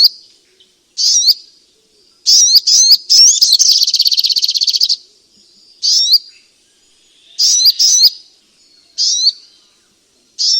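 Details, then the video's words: Striated grassbird giving scattered high whistled phrases with sharp upward hooks, one bout running into a fast rattling trill of nearly two seconds, then spaced single phrases separated by pauses; clean, quiet background. "Terapi Burung Sogok Ontong lelet dan males bunyi"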